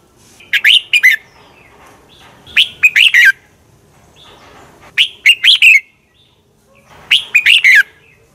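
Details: Red-whiskered bulbul fighting song for training: four phrases roughly every two seconds, each three to five quick whistled notes rising and falling, ending in a downward slur.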